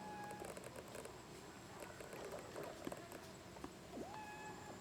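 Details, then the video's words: A male Siamese fireback foraging in dry evergreen forest at Sakaerat Environmental Research Station, Nakhon Ratchasima, Thailand, gives two faint, steady mid-pitched whistles, the last swooping upward, amid soft clicks, patter and forest sounds. "ไก่ฟ้าพญาลอ ไม่ขันเหมือนไก่ แต่ร้องยังไง ..ฟังกัน ( SIAMESE FIREBACK )"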